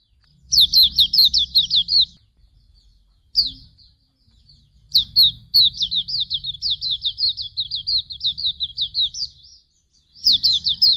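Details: Master song of Hume's white-eye for teaching songbirds: fast, high chattering runs of slurred whistled notes, one long phrase of about four seconds running on steadily, broken by short pauses and single notes.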